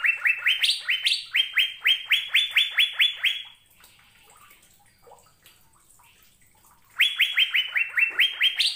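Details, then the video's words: Asian fairy-bluebird singing: bursts of loud, liquid whistled notes repeated about twice a second, many notes sliding up to a held tone, a pause of a few seconds, then another rapid burst. "Burung Sorga Cucak Biru Sedang Bernyanyi Gacor | The Blue Cucak Bird of Heaven is Singing"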